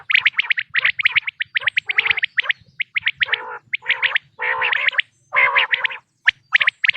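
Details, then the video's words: Natural quail voice offered for hunting, 2026 season: rapid series of sharp, bright clipped notes with interspersed lower, nasal harmonic bursts, delivered in dense runs separated by brief pauses. "بٹیر کی آواز"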